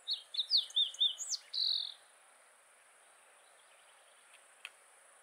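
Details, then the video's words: A Fox sparrow (Slate-colored) in the Black Rock Range, Humboldt County, Nevada, on 5 July 2019 sings a quick, rich phrase of slurred whistles and rising and falling trills, ending in a longer buzzy note, over steady high insect hiss. "Fox Sparrow (Slate-colored)"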